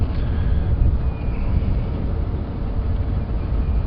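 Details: Steady low engine rumble of a safari vehicle driving at sunset, with no animal voices.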